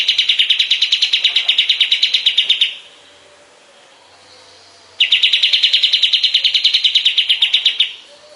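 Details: Master recording of a kapas tembak bulbul used to tutor songbirds: two long, fast, even trills of rapid high chirps, each lasting nearly three seconds, separated by a short pause.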